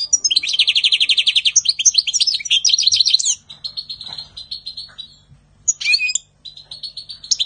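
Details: European goldfinch in spring 2020 pouring out a fast, rattling trill of rapid high notes, then steadier repeated chips, a brief slurred call and more tinkling twitters.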